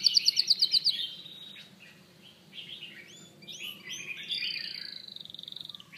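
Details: Canary song beginning with a quick series of bright repeated notes, then scattered warbling chirps and slurred whistles, closing with a long, fast, buzzy trill.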